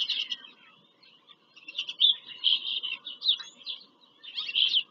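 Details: Bald eagles visiting their nest at PA Farm Country, Pennsylvania, on 5 February 2023, picked up by a live nest camera: high, thin squealing chatter in bursts, with brief quiet gaps between the series.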